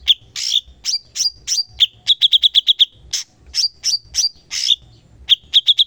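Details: Cucak cungkok singing energetically, used to train songbirds: loud slurred high chirps, then a quick string of about seven even notes, more chirps and a closing short trill.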